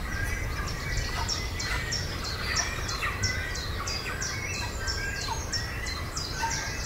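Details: Great cormorant chicks in a tree-nesting breeding colony at Naardermeer, Netherlands, give rapid, high, squeaky begging notes several times a second while being fed by regurgitation from parents, over a low rumble of wind or distant noise.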